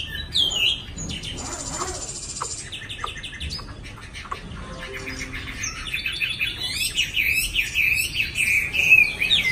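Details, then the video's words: A newly acquired caged Chinese hwamei, kept in a small cage with a slightly worn tail, sings fast: a varied run of loud, clear whistles and slurred notes, rising and falling quickly, with a few scratchy chirps between phrases. "Mi mới về"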